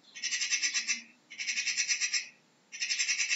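A magpie gives three harsh, rattling chatters, each about a second long and made of rapid dry clicks, with short pauses between bursts.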